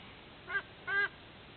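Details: White-bellied sea eagle at its nest in Sydney Olympic Park, Australia, at 06:04 on 13 October 2024, gives two short, nasal, goose-like honks about half a second apart, the second longer, over a quiet background.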